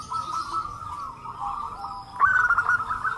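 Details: Native zebra doves in a calling chorus used to coax other doves into song; a soft, even trill runs throughout, topped near the end by a sharper, louder burst of quick notes.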